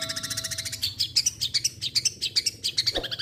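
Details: A long-tailed shrike sings hard: a fast, rhythmic string of bright, high chirps and short whistled notes, about two per second, with a brief low thud near the end.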